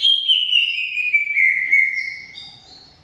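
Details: Lively 'gacor' singing from a greater green leafbird: one long clear whistle gliding steadily downward over about two seconds, fading out with a few faint high notes.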